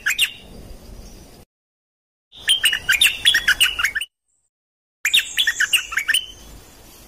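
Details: Song of the Dok Taeng bird, played to train young birds and excite them: bursts of rapid twittering chirps and quick whistles broken by short silent gaps.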